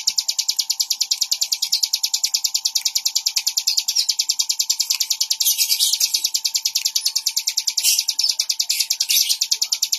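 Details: Bar-winged prinia in sustained song, a tireless train of sharp, high-pitched notes around three per second, accompanied by a constant faint hum in the background.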